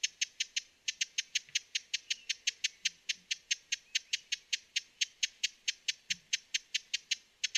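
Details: Broad-billed hummingbird calling in a steady, unbroken run of crisp, clicking chips, about five each second, sustained throughout against faint background hiss.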